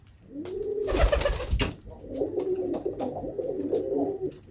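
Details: Domestic pigeon cooing: a low, throaty rolling coo that continues steadily after a loud burst of broadband rustling or flapping near the start.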